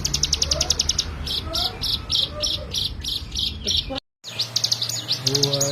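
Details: Bar-winged prinia, high quick chipping in 'ngebren' style for training other songbirds, mixed with fainter lower whistled notes, cut by a short silent gap before the rapid chips resume.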